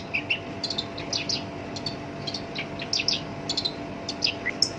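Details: Black-browed reed warbler kept in a cage, singing in a coarse voice meant to provoke other birds into song; short clusters of scratchy high chirps and whistled squeaks, separated by brief gaps, over low background hum.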